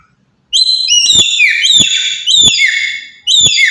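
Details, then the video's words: Loud calls from a black-capped lory of Papua, used to get other birds calling: four strident, ringing, downslurred shrieks in quick succession, each starting abruptly. "Burung Nuri Kepala Hitam Dari Papua//Suara Lantang Buat Pancingan"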